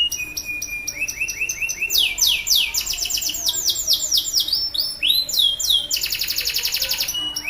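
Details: A male canary sings loudly to coax other canaries into song, with repeated rising chirps, fast descending whistled series, a rolling note and a buzzy rapid trill near the end.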